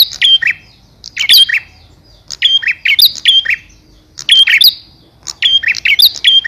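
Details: A male bar-winged prinia calls for the female with bursts of sharp, high chirps and short whistles, each burst of several quick notes, roughly one burst per second and a half, with quiet gaps between.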